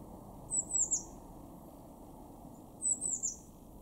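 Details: Garden blue tit recorded in March 2024 in Weener, East Frisia, northwestern Germany, giving very high-pitched, thin descending notes in clusters of three, two clusters roughly 2.3 seconds apart, with faint low hum underneath.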